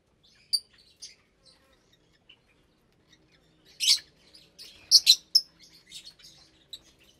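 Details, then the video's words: Caged lovebird flock at meal time, roughly 25 birds of parblue, euwing, opaline, lutino and albino colours raising chicks; sparse high squeaks, then a cluster of piercing, scratchy chirps and chatter in the second half. "Lovebird Meal Time"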